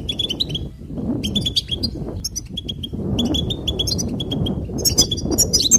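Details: Goldfinch singing a run of quick sparkling chirps in clustered phrases, with repeated bright notes and a rising tinkle at the end, over steady low background rumble.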